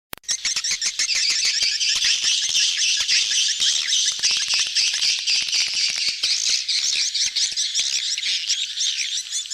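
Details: Swiftlet flock gathering in a crowded mating chorus, the style called betompok, used as a lure sound: dense overlapping high chirps and twitters, continuous and busy, with no other sounds.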